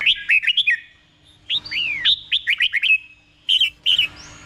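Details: Thai red-whiskered bulbul training song for caged birds: short choppy whistled phrases, a long downward-sliding note, then further rapid notes ending in a drawn-out whistle.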